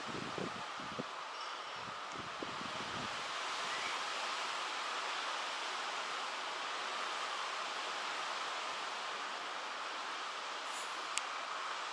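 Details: Steady rushing wind and rustling with a few low thumps at the start; no animal calls are heard.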